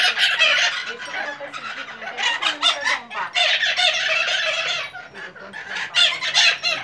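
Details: Flock of maitacas (Pionus parrots) raising a noisy racket at a house in Santa Maria Madalena, Rio de Janeiro, Brazil, 26 January 2014: dense, harsh, screechy squawks overlapping in rapid irregular bursts throughout, with almost no pauses.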